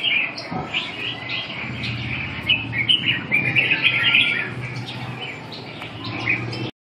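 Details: Red-whiskered bulbul delivering a rapid, continuous chattering warble of many quick notes, busier and louder in the middle, with a low rumbling hum underneath throughout.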